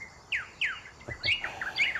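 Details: A pair of rosy thrush-tanagers (male red, female orange) duet in Metropolitan Park forest, Panama: two clear downslurred whistles, then a rollicking jumble of rich warbled notes, one continuing the other's phrase, with a soft low thump.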